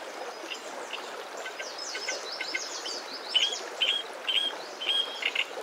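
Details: Wagtail in spring at a nest hidden in foliage with hungry chicks, the parent catching insects over water; thin, high, sharp calls about two a second over a busy background of fainter chirps and hiss.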